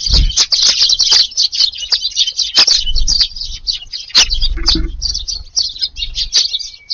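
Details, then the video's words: Busy evening feeding crowd of Eurasian tree sparrows in a garden on 22 July, hungry after a day kept away; rapid overlapping high chirps run on almost nonstop, with occasional soft low knocks. "スズメが庭に来ました！ No.749 にぎやか夕ごはん"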